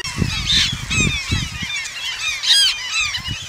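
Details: A noisy flock of Eurasian coots, Asian population, giving loud, nasal, honking calls that overlap every fraction of a second, with low splashy thumps underneath.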